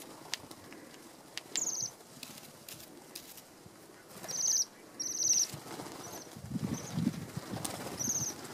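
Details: Wild Bohemian waxwings eating apples from a hand on Fair Isle, Shetland Islands, Scotland, recorded on a handheld pocket camera: thin, high ringing trills given four or five times, amid rustling and handling noise.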